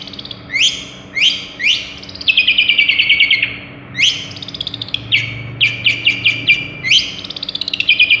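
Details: Madura long-tailed shrike in full song, imitating other birds such as sparrow, prinia and sunbird: loud rising-falling whistled sweeps repeated every half second, then rapid rattling trills of sharp chirps, with a low steady hum behind.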